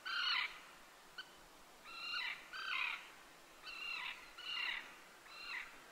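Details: Common tern recorded at a golf course in Joroinen, Finland; a steady run of six or seven grating, descending kee-arr calls, spaced irregularly about every half to one second.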